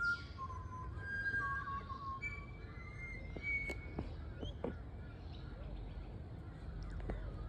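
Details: Butcherbird, a type of shrike, singing in the morning: clear, flute-like whistled notes at mid pitch, some held level and some gently falling, given in short phrases, with nearby clicks and tapping and faint chirps from other birds.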